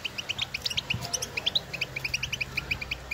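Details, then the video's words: European goldfinch outdoors in nature, birds calling to one another to stimulate singing; evenly spaced bright chirps repeated rapidly over a hissing background. "افضل بتبتة لتحفيز طائر الحسون"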